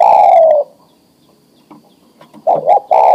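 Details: Male spotted dove in breeding condition calling a female: a long, gently falling coo, about two seconds of near silence, then a quick double note followed by a steady, drawn-out coo.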